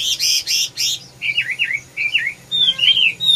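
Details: Red-whiskered bulbul opens with three loud, harsh, buzzy notes, then sings bright, wavering slurred whistles that rise and fall in quick succession, ending in clear swooping phrases.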